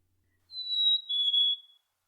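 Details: Black-capped Chickadee fee-bee song: two clear whistled notes, the first higher, the second slightly lower with a brief dip in volume at its middle, lasting about a second and a quarter in all, in silence.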